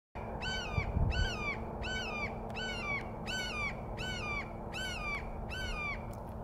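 A Red-shouldered Hawk gives about nine harsh, downslurred kee-ah calls, one every two-thirds of a second, over a low steady hum and rumble.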